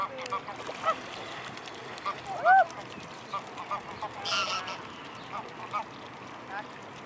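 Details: Mute swans gathered in a flock at the Blaues Wunder, 25 May 2016, afternoon. One brief, loud, nasal honk stands out with a bending tone. Scattered quieter calls and ambient outdoor noise surround it.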